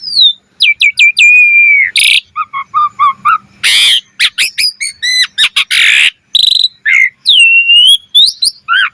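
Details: Asian pied starling in a busy, varied song played to get other starlings singing: rapid clicks, a long level whistle, low warbled notes, loud harsh noisy bursts and sweeping whistles.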